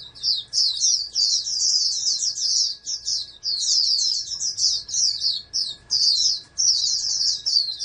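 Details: Captive-bred oriental white-eye, raised as a national contest hopeful, sings a fast, high twittering song in long bursts of tumbling squeaky notes with brief pauses. A faint steady electrical hum runs underneath.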